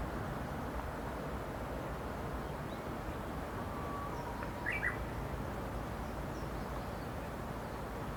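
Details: Japanese bush warbler in mountains around Mizunuma Onsen, Midori, Gunma, Japan, 18 May 2016: one song, a long level whistle ending in a short, higher, twisting flourish, heard over constant low rumble.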